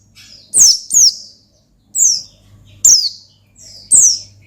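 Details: Oriental white-eye in energetic song meant to provoke a rival: piercing high notes sliding downward, delivered in separate bursts about a second apart, with faint background hum.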